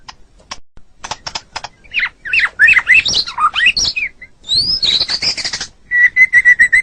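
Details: White-rumped shama (murai batu) song from a training recording for caged birds: opens with sparse ticks, then bursts into swooping whistles and rasping chatter, ending in a quick even series of clear repeated whistles.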